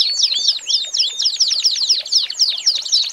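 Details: Tutor song of an American Singer canary: distinct downslurred chirps repeated about four times a second in a lively, regular series.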